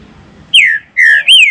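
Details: Captive Green-winged saltator song used to stir up and warm up caged birds: three strong whistled notes, the first two falling and the last rising then dropping, after a quiet hum.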